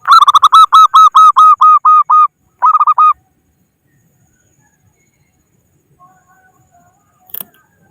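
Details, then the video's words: Local zebra dove luring rivals for trapping: a long series of about ten fast, evenly spaced loud coos, a brief pause, then four more, followed by near silence with faint distant notes and a click. "Suara Burung Perkutut Lokal Pikat Gacor Ahlinya Memanggil Lawan"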